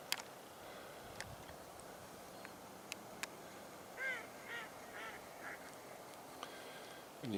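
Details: A female mallard on a river pond on the morning of 6 November 2014 gives four loud, nasal quacks about half a second apart, a call only females make, with scattered clicks and faint background noise.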